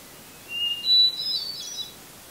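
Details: A single phrase from a hermit thrush singing in a red pine in Eustis, Maine, just before sunset in July: a clear, sustained introductory whistle leading into a quick, shimmering, upward-spiralling cascade of flute-like notes.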